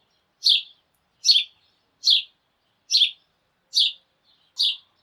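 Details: Morning chirping of a sparrow flock: six sharp, high chirps at a steady pace of about one every 0.8 seconds, each a quick bright burst, over a silent background.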